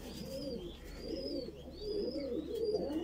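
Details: Baby Voorburg Shield Cropper pigeon begging while being fed: a steady run of low, husky, wavering notes, overlaid by repeated thin whistled chirps from other birds in the background.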